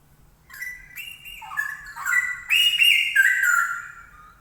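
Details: Straw-headed bulbul singing loudly: a rich, bubbling run of liquid whistled phrases that starts after half a second, climbing and dipping in pitch and swelling to its loudest near the end before fading.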